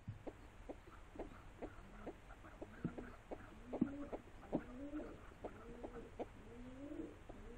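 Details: Pigeons cooing in a run of soft, low, throaty notes, each short and slightly wavering, repeated many times in close succession with faint background noise.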